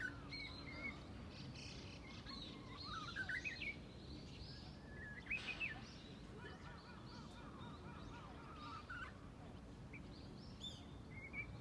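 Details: Japanese bush warbler singing an unsteady practice song from deep in a bush: faint, halting whistled phrases, with rising slurred notes around the middle, over steady outdoor background noise.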